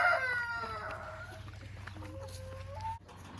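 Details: Newly bought laying hens taken to quarantine for two weeks: drawn-out harmonic calls falling in pitch open the recording, then softer tonal notes and a final rising note, over a steady low hum.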